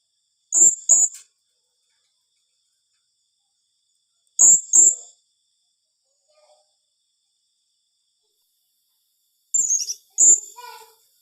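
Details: Blue-crowned hanging parrot giving 'tembakan rapat' rapid calls: three shrill doubled squeaks spaced roughly four to five seconds apart, each pair very high and clipped, against a quiet background.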